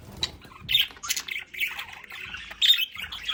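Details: Pet budgerigars at home give quick, raspy chirps and warbling squawks in a short, busy burst of chatter within their play area.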